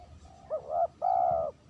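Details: A single phrase of a spotted dove lure call, clean: a soft lead-in note, a quick two-part rising coo, then one long, level, hollow coo lasting about half a second.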